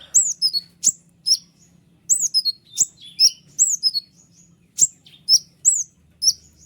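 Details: White-winged triller delivering a clear tutor song: bright high whistles sliding downward, clustered in short bursts with sharp clicks and brief gaps, steady faint hum underneath.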